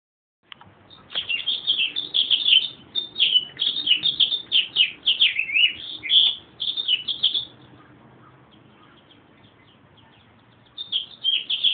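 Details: Meadowlark singing a run of quick warbled, gurgling notes that rise and fall for about seven seconds, then a short pause before another phrase begins; no other sounds stand out.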